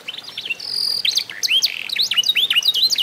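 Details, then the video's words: Canary, F1SF, eight months old, tutored with master song recordings, singing a fast varied warble of high sweeping whistles, a sustained flat note and rapid down-slurred chips mixed with trilled bursts. "REVIEW HASIL MEMASTER BURUNG KENARI F1SF UMUR 8 BULAN"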